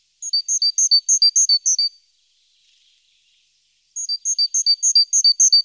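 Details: Great tit around the nest, morning of 14 April, nest-box webcam: two bursts of rapid, regular two-note phrases, high thin notes paired with lower ones, roughly three per second, separated by a two-second silence.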